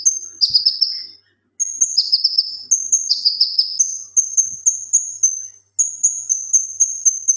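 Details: Male leafbird used for training other songbirds, singing energetically: descending scratchy phrases alternate with high clear whistles, separated by short silences, ending in a steady string of piercing whistled notes.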